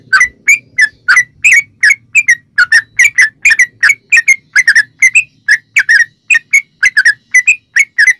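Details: Dense, rhythmic 'ropel panjang' song of a sooty-headed bulbul, used to draw other bulbuls into singing; sharp chirps at about four per second continue without a break over a faint low hum.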